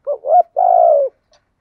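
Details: Spotted dove kept as a decoy to draw in other doves, giving a single phrase: a soft wavering double note rising then dropping, then a long, even, husky coo trailing off downward.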